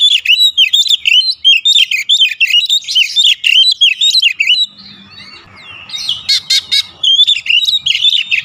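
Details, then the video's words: Oriental magpie-robin song: long stretch of rapid, repeated high whistled and slurred notes for over four seconds, a quieter gap with harsh rasps, then the fast whistling resumes. "Kacer manapun dijamin cepat buka suara"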